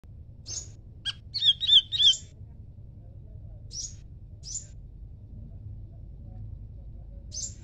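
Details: Leafbird singing in answer to a scarlet minivet: a sharp high note, then a short run of quick whistled slurred phrases, with scattered thin high chips afterward over a low background rumble.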